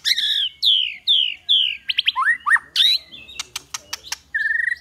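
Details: Loud, varied white-rumped shama song for training birds in the 'kéo thuốc lào' and 'hót giọng dây' styles: clear descending whistles, rapid stuttered notes, a rising phrase, scattered clicks, ending in a short fast trill.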